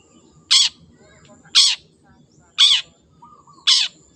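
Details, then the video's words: Wild long-tailed shrike repeating a grating, rasping call at an even pace, about one per second, four times, with a soft whistle between the last two. "CENDET GACOR SUARA BURUNG LIARAN"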